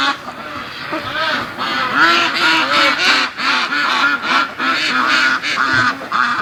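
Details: Several free-range domestic ducks quack loudly and continuously as a 4:30 am wake-up call on 26 September, with harsh nasal calls overlapping at a rapid, uneven pace of nearly three per second; the owner calls this happy ducks with no predators around.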